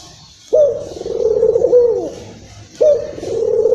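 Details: Local Barbary dove coo used to excite other doves: one long, low, vibrating coo with a falling slur at its end, then a second coo starting abruptly, over light background hiss.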